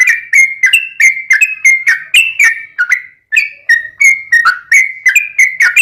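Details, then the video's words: Rapid ropelan singing from a yellow-vented bulbul, filled with straw-headed bulbul-style phrases: a dense stream of short bright whistles with clicky starts, pausing once briefly before continuing at the same pace. "Trucuk Kicau istimewa Ropelan Tembus-tembus isian Ngelituk Cucak Rowo'an"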